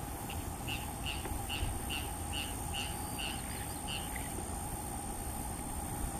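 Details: A Purple Gallinule giving a territorial display at Carlton Reserve utters about nine short, clipped clucking notes, two or three a second, then falls silent over a steady low rumble of wind or water.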